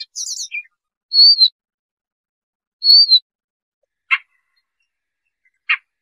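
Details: Siberian rubythroat song played as a trapping lure: a high chattering burst, then two separated slurred whistles and two short dry clicks spaced over six seconds, with silence between.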